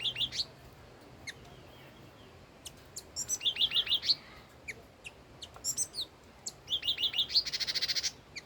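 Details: Song of an old wild red-whiskered bulbul: bursts of rapid bright whistled notes in groups of four to six, with sharp high chips between phrases and a faint hiss behind.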